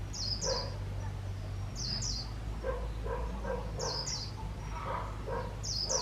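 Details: Trapped decoy white-eye giving líu notes in quick pairs of high, falling whistles, repeated roughly every two seconds, while a dog barks in short bursts between them over a low background hum.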